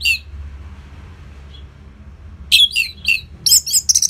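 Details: Caged orange-headed thrush giving loud, closely spaced song meant to get silent birds singing: a single whistle, a pause, then rich falling slurred whistles and a rapid flurry of high chirps.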